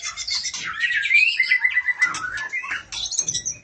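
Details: Female oriental magpie-robin calling the male, a busy burst of overlapping whistles and harsh chattering notes with a sustained whistled tone running through the middle, rising and falling in quick succession.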